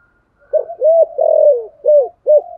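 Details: Spotted dove singing in the giọng thổ voice style, a song used to lure wild doves. A single deep phrase of cooing hoots with a drawn-out, gently falling central note.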